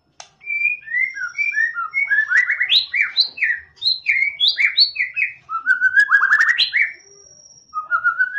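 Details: White-rumped shama (murai batu) singing a rich, varied run of clear whistled phrases, with rising and falling notes and quick trilled bursts, brief pause near the end before a rising whistle resumes.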